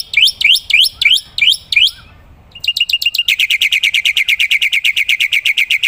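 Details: Black-winged myna singing hard, serving as a tutor recording for other songbirds: several rising squeaky notes, a short pause, then a long rapid chatter of evenly repeated bright chips.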